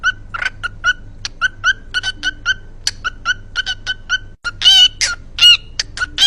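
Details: A pet cockatiel sings its "cookie song", chattering in quick runs of short, bright chirped notes, several per second, ending in a few louder, harsher screechy calls.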